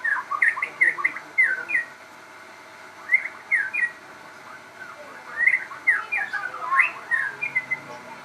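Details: Crossbred captive shama in song: clusters of quick, varied whistled and slurred notes in short bursts separated by pauses, against a faint steady background hiss.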